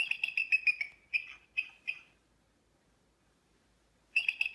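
Bald Eagle giving thin, high, twittering chirps in quick bursts of several notes, a two-second pause, then another run of piping calls.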